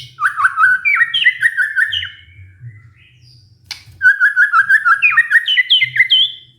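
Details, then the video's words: White-rumped shama singing a lure song meant to restart a stressed, silent bird: a quick chain of rising and falling whistled notes, a short gap with one sharp click, then a second fast, rising run of bright warbles over a faint low hum. "pancingan murai batu macet bunyi karena stres"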